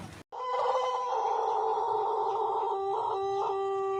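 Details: Long sustained crow from a white Pelung cock, rich in harmonics and held for over three seconds, with a couple of wavering breaks near the end before settling on a lower drawn-out tone.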